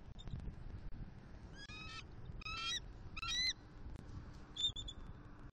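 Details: Eagle pair, a male and his new female, mating on the attic of their Southwest Florida nest on a morning of 1 October 2023. Four bursts of high, thin, stuttering piping calls with bright overtones, spaced about a second apart over a steady wind rumble.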